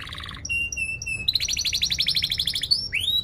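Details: Vigorous canary song with sharp rolls, meant to teach young canaries to sing: a low buzzy trill, steady whistled tones, then a fast pulsing high roll and a rising sweep.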